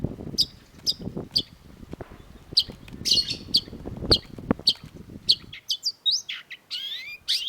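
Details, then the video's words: Long-tailed shrike (cendet) in lively song: repeated high sharp notes over steady low rumbling noise, ending with quicker slurred whistles and a scratchy, rising phrase. "cendet gacor"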